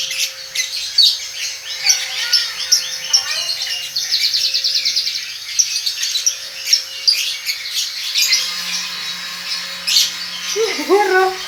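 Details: A lovebird about one and a half months old, said to be starting its chattering song, giving a fast stream of high twittering chirps and trills, with a rapid rattling passage near four seconds and a steady low tone.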